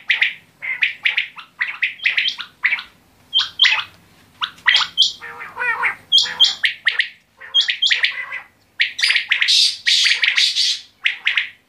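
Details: Quail producing a long series of short, high chirping notes in tight groups, mixed with thin whistles and a brief warbling rattle, with irregular pauses between bursts.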